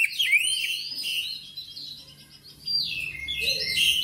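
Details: Oriental magpie-robin warbling with a quick opening flourish of rising whistles, then softer, drawn-out notes, and a louder run of high whistled phrases toward the end.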